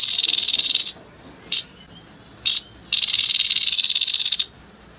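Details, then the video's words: Grey-headed babbler singing in the harsh 'nembak kasar' manner, used as tutoring material for contest birds: a rasping pulsed rattle, two short clipped bursts, then another long rapid chattering rattle. "TEPUS KEPALA ABU ABU NEMBAK KASAR"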